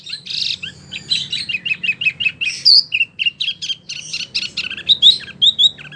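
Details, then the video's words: Continuous lively Wambie mini chatter of short high chirps and quick twittering notes, interspersed with a few clear upslurred whistles. "wambie mini super gacor"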